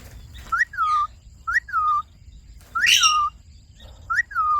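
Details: Pet Indian ringneck parakeet presented as a talking bird, giving a clear whistled phrase four times, about once a second: a short rising note, then a longer falling-to-level tone. Faint low hum underneath.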